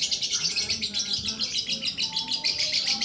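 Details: Lakbet bird singing, a high, unbroken trill of quick repeated notes, about three or four per second, bright and steady throughout.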